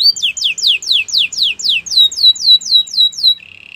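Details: Canary song for training other canaries. About a dozen sharp, downward-sweeping whistles come in quick steady rhythm, ending in a low, rapid buzzing roll.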